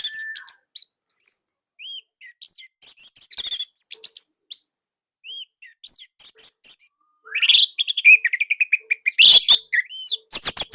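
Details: Orange-headed thrush, Indonesia, singing a loud, tight master song. Long varied sequence of rapid chirps, trills and slurred whistles, broken by brief silences, building to dense rattling bursts near the end.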